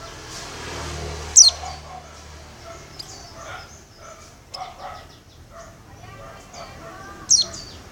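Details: Calls of a female Oriental white-eye summoning the male: two strong, thin, downward-slurred high notes several seconds apart, with quieter scattered chirps and low background murmur.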